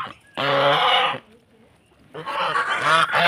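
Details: Domestic goose from Netrokona kept in Tangail, Bangladesh, coming to peck a person because it is egg-laying time; two loud, harsh honking bursts separated by a brief quiet pause.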